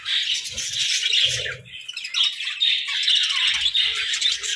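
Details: Pet budgerigars chattering in a cozy indoor hut: a constant busy warble of high, scratchy chirps and squawks from several birds, with soft low knocking sounds now and then.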